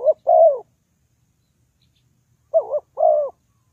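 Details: Two cooing phrases from a spotted dove used as a lure for trapping, separated by a silent gap of nearly two seconds. Each phrase has a short wobbling double coo then a sustained falling note.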